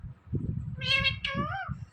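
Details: Indian ringneck parrot talking, saying its name in mimicked speech: two harmonic-rich, nasal syllables, the second rising then falling, over low background rumble.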